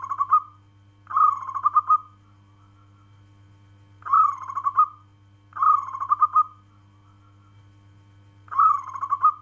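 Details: Local zebra dove (perkutut) calling in short, rolling phrases of a few quick coo pulses, repeated about every one and a half to three seconds, while a steady low hum runs throughout.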